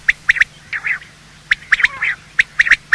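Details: Quail morning call of male and female, sound used for hunting quail; sharp short chirps in pairs and triplets separated by brief pauses, with softer rasping notes between.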